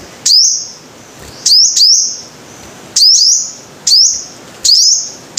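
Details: Bright, very high chip notes of a five-coloured sunbird, some doubled, each sliding upward into a ringing drawn-out tone and repeated about once a second over low background noise.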